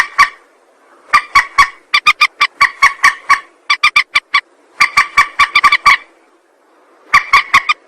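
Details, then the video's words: Rail lure call, long chattering runs of fast, sharp, nasal notes repeated several times a second, pausing briefly before starting again. "Suara pikat burung mandar"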